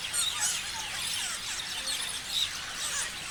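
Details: Parrots chirping in a group: dense, overlapping high squeaky chirps and short rising squeals run continuously, with a few sharper whistled notes standing out.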